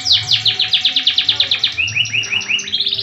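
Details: Canary, AF type, in full song performing a long rolling 'tembakan' trill: rapid descending whistled notes repeated about three per second, shifting midway into higher, faster rising chips, with faint low hum beneath.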